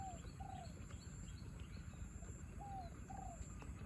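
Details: In rain, a spotted dove competing with a wild bird gives two paired coos, each a brief downslurred note followed by a longer drawn note, over a dense wash of rainfall.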